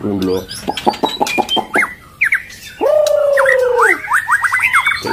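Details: White-rumped shama female in breeding condition feeding its chick; harsh buzzy notes in a quick series, then a long nasal drawn-out call followed by rapid sharp upward whistles.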